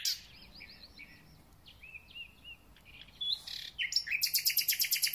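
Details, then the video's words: Thrush nightingale's spring concert: soft repeated swooping whistles, then a buzzy note and a rapid loud rattle of clipped pulses near the end. "Słownik Szary koncert na całego to znak że zaczęła się wiosna ."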